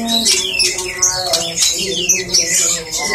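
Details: White-rumped shama (murai) singing in the antik ala MBRK style: rapid high whistles, upward and downward slurs and sharp chips delivered in a continuous flow, with a sustained low tonal hum underneath.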